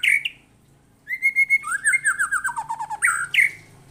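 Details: White-rumped shama singing hard against a lure recording, showing its mimicked repertoire: a sharp high note, a held whistle, then a quick descending cascade of slurred chirps and closing bright whistled flourishes.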